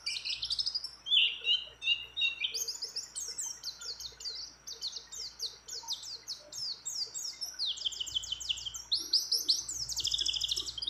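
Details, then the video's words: White-eye hen calling to a male while in breeding condition, with many other birds' phrases included: a whistled rising slur, then a long, rapid string of high chirps repeated several times a second. "Pleci Gacor Ngecir Ngeroll Nembak Dengan Isian Banyak Burung Lain"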